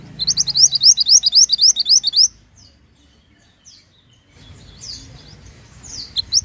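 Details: Pied bushchat singing in lively form, recorded as a master song for training songbirds: a rapid, regular run of high, sharp repeated notes for about two seconds, then sparse single down-slurred whistles over faint low background noise.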